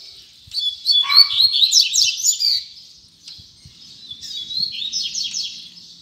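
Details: Double-collared seedeater singing in the tui tui zel zel style: high, rapid phrases of sharp down-slurred notes and buzzy trills, delivered in two bursts separated by a short pause, with faint low knocks underneath.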